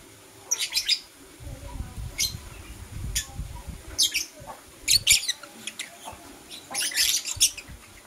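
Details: Pet lovebirds, blue opaline and parblue euwing opaline, in the morning: short harsh high chirps in bursts of two or three, spaced about a second apart, with soft low rustling in between.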